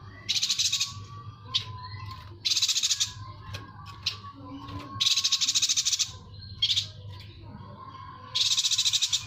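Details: Yuhina song from a tutor recording meant for training cage songbirds: bursts of rapid, dry, high buzzy trills lasting about a second, separated by short pauses, with brief high chips between them and a faint low steady hum.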